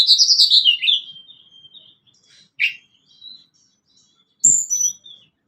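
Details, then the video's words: Tledekan gunung, the Sunda blue robin, in a lure recording for newly caught and adult birds: a rapid warbled run of high notes slides into a long thin whistle, then a single sharp chip and a bright whistled flourish. "Tledekan gunung cocok buat pancingan burung bahan / burung dewasa"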